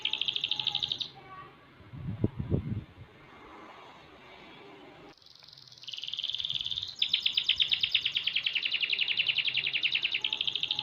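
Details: Six-month-old canary in song: a high buzzy trill, a quiet stretch with a brief low thumping noise, then long fast rattling trills of rapid repeated notes that run to the end.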